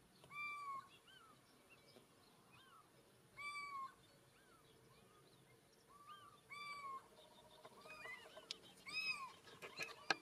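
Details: Little owl (Athene noctua) in Castelo Branco, Portugal, giving a loud, mewing 'kiew' call roughly every three seconds, with softer chirps from other birds behind.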